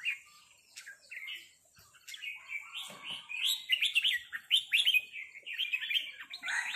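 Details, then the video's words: Red-whiskered bulbuls trade 'rik' calls as a resident bird confronts a newcomer. The phrases are chirpy and warbling and grow denser and louder toward the end, with brief soft low sounds in between. "นกกรงหัวจุกร้องริกตอบโต้กันมันๆ โดนนกเจ้าถิ่นรับน้องจัดหนัก"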